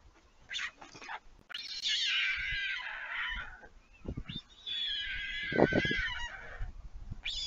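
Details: Young white storks begging at the Leemansmolen nest in Vriezenveen, Netherlands, 11 July 2022, after returning from flight as a parent lands to feed them: long wavering, wheezy mewing cries in two drawn-out bouts, with thumps and knocks.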